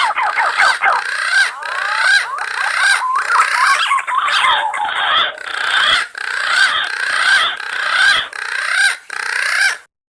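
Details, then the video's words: Green pigeon calling its companions, recorded directly from the bird as a hunting lure; continuous rapid warbling and chattering notes, with slight breaks every second or so. "Suara burung punai panggil kawan nya"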